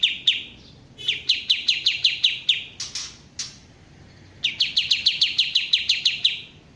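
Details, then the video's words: Kapas tembak bulbul delivering bursts of rapid, clipped downslurred notes in quick runs, separated by a pause with two harsh noisy sounds, then a final sustained run of evenly repeated chips. "suara asli kapas tembak"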